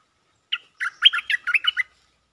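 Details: A Cream-vented bulbul gives a mate-attracting call: one quick, bubbly phrase of about eight clear, mid-high notes lasting just over a second. The background is otherwise quiet.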